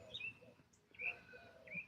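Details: A Northern Mockingbird perched atop a pole in its home yard, in Alabama, mimics a 'kitty kitty kitty' phrase as three short, bright, chirpy notes about three-quarters of a second apart, over faint background hiss.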